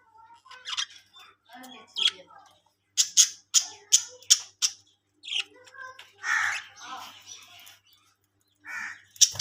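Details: Budgerigars in a breeding colony chattering indoors: a run of sharp clicking chirps, warbled notes and scratchy squawks from several birds, with brief pauses between bursts.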